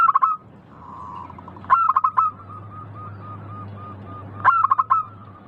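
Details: Local zebra dove singing in the style called manggung ngayer: bursts of rapid, clipped, rolling notes, each followed by a series of short cooing notes, repeating about every three seconds over a steady low hum.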